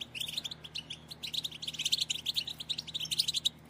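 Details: Female European goldfinch batbata, a stimulating chatter meant to set males singing and courting: a continuous run of rapid, high, clipped tweets rising in loudness, with a low hum underneath.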